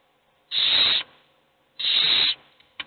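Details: Hungry owl chicks begging for food while only one gets fed: two harsh, hissing screeches, each about half a second long and separated by just over a second of quiet.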